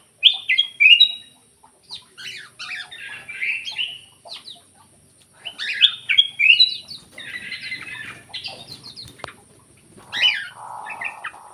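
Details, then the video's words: Black-crested bulbul song serving as a lure to encourage silent songbirds to sing. Lively whistled phrases and chattering notes come in irregular bursts throughout, with a steady high background tone. "PANCINGAN KUTILANG EMAS MALAS BUNYI"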